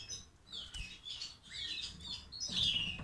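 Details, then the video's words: Caged European goldfinch with white-throat (ak gerdan) markings, its song in the style called classic (klasik saka), heard as a short burst of bright twittering notes with quick rising and falling slurs, faint room noise below. "Klasik Saka Çizgi Ve Yarım Ak Gerdan"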